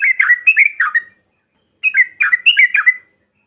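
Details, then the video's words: Bulbul recording used as trucukan bait to rile other birds: two short bursts of liquid, warbling notes, each about a second long, separated by a brief silence. "TRUCUKAN BAHAN ATAU Ombyokan, Paut BISU Seketika BUNYI NGAMUK Mendengar SUARA INI"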